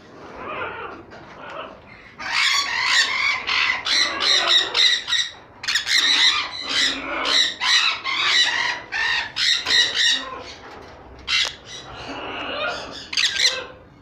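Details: Pied sun conures imported from Holland give harsh, piercing screeches in rapid, uneven bursts.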